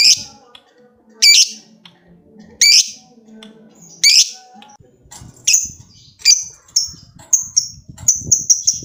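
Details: Lovebird calling a rival with loud, harsh high squawks about once a second. These give way to quicker, thinner chips that speed into short chattering bursts near the end.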